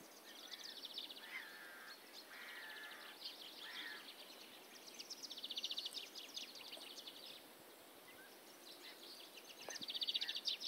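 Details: Eurasian penduline tit (Remiz pendulinus) at Kalinkovo on 17 March 2012, giving faint, thin high calls in short bursts, with lower chirping notes early on and steady background hiss.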